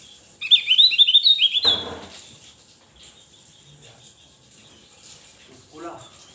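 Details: Javan white-eye in full song for bird training: a quick burst of bright, tumbling, high twitters lasting just over a second, followed by a clattering noise and faint lower chirps later.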